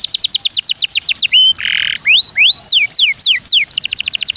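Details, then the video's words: Canary song used as a training master for rough, long 'tembakan' song: a fast high trill of falling notes, about four per second, then a harsh buzzy note, rising and falling whistled slurs, and another quick trill. "Masteran Burung Semua Jenis Burung Kenari [Rool Panjang,Variasi Tembakan]"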